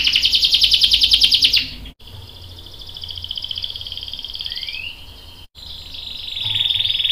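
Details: Canary 'ngerol panjang' long-roll song from a lure recording meant to prompt a reply. A dense fast trill opens, then come drawn-out, level, whistled rolling tones with a short rising slur, and another trill to close.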